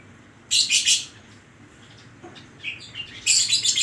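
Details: Oriental magpie-robin (kacer) in full song with isian koslet filler style: two loud, harsh, buzzy bursts of rapid broadband notes, separated by a quieter pause with a few short chirps.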